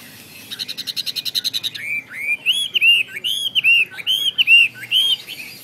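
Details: Chinese hwamei: an even, fast-repeated trill of about a dozen notes, then loud, clear rolling whistled phrases that swoop up and down.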